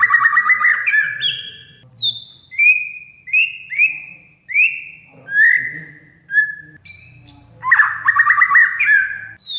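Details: Kacer song meant to coax a mute oriental magpie-robin into singing: harsh chattering burst, then a string of clear rising and falling whistles, ending with high notes and another rattling chatter.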